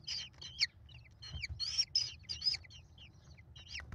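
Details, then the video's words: American kestrel nestlings, five in the brood, calling as their mother feeds them, 28 May 2021 on a nest camera: sharp squealed notes sliding downward, overlapping in ragged clusters, with faint low rumble. "Mom faces the mob! American Kestrels."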